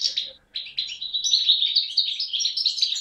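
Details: Continuous rapid twittering from a 2011 youngster European goldfinch of the Beni Snassen area near the Moroccan–Algerian frontier, recorded 8 January 2012; liquid chirps and short trills run together after a brief opening pause.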